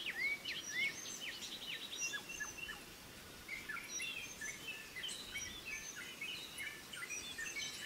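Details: Pied fantail family in forest, the female bringing food to her chicks: rapid high chirps and brief curving whistles, thicker bursts in the first second, then scattered overlapping twitters against a soft natural background hiss.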